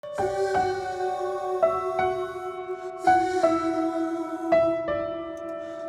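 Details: Gentle piano or keyboard music, with soft sustained chords struck every second or so and no animal sounds.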